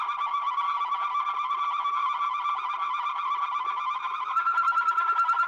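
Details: Old Belgian recording of a Waterslager canary singing steady gurgling, watery rolling tours, ending in a fast pulsed clear trill.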